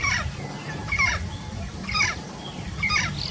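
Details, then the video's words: Yellow-faced parrot repeating a harsh, hoarse squawk four times at about one per second, evenly spaced, against a continuous low-pitched background rumble. "O canto do papagaio galego"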